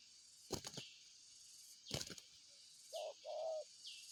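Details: Wings flap loudly twice, then a spotted dove coos: a short hollow note followed by a longer rolling one, with thin high chirps repeating in the background.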